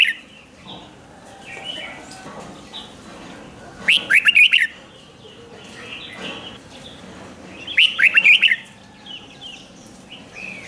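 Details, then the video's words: Red-whiskered bulbul, caged, singing a song played to excite other caged birds; two bursts of quick warbled, bubbly notes about four seconds apart, with faint chirps from other birds between. "เสียงนกกรงหัวจุก ร้อง ริก เปิดให้นกฟัง ยั่วให้นกคึกจัด"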